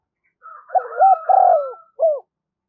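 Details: Calling spotted dove used to lure wild doves: a soft rolling churr leading into two strong coos and a final short hooked coo.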